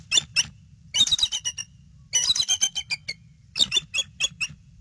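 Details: Alert calls from a bald eagle pair at their nest with eggs, recorded on a nest cam 22 February 2016 around 5:50 PM; high squealing chatter in four bursts of rapid notes, some slightly descending, low hum behind.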